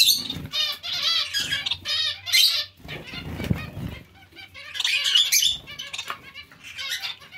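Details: Several zebra finches in a colony calling together, clusters of buzzy, trumpet-like notes in busy bursts, broken by a gap of fluttering wings and scuffling before the chatter resumes.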